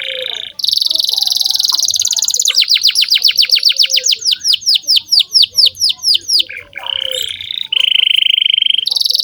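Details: Canary in full song for tutoring young birds, opening with a buzzy roll, then a long series of quick descending sweeps repeated several per second, finishing with steady whistled and buzzy tours.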